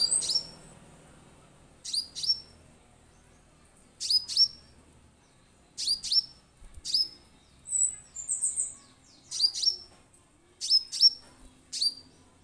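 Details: Orange-headed thrush giving sharp, very high, thin notes, mostly in quick pairs, repeated every one to two seconds over a quiet background; used as a lure sound to prompt a captive thrush to sing.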